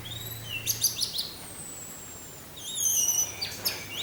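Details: Orange-headed thrush teler song mixed with wind sound: bright high whistled notes and a long sliding whistle, a brief lull, then rising twittering chirps and sharp accents, over a faint low hum.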